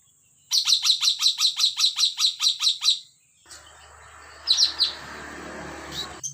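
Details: Rapid series of about thirteen crisp, high chirps from a Sumatran hill myna, evenly paced, followed by rustling background noise and two or three fainter chirps near the end.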